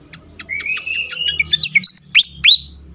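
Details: Fantail in an agitated state: a thin rising whistle carries quick ticking notes, then three or four loud slurred whistles that drop and rise steeply close the phrase.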